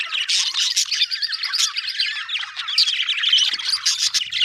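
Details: Budgerigar chirping happily, a continuous bright stream of quick high twittering and squeaky notes with steady loudness throughout.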